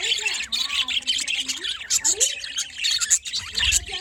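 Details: Budgerigars in the morning give lively chattering chirps, with sharp high clicks and squeaks among rising and falling warbles, in a steady busy stream.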